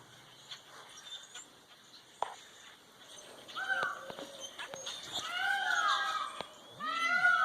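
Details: On a farm after a late snow on 17 April 2020, a peafowl gives loud, nasal, wailing calls sweeping down in pitch, in a few bursts near the end, over farmyard noise and a brief voice. The owner says they call like this before mating.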